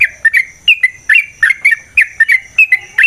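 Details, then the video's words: Yellow-vented bulbul singing to provoke a fighting response: bright, loud chirpy phrases around the upper-middle range, short rising and falling notes repeated several times a second in a busy, continuous run. "Suara Burung TRUCUKAN gacor TARUNG ROPEL PANJANG pancingan trucukan agar JADI trucuk gacor EMOSI"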